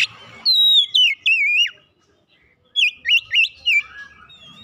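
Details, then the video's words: Oriental magpie-robin stimulation song for a bird that rarely sings: a long sweet whistle falling into wavering notes, a silent pause, then four quick up-and-down whistled notes and a softer trailing phrase. "merangsang Kacer malas bunyi langsung gacor"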